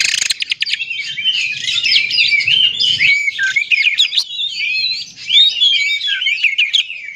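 An Oriental magpie-robin pours out a rich, continuous song of rapid whistles, trills and scratchy mimicry, high-pitched and varied throughout.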